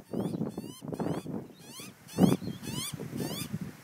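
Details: Juvenile Australian magpie begging its parents for human food, a crow nearby: short rising, strained squawks with a slurred upward sweep, repeated about every half second, over steady low wind or handling rumble.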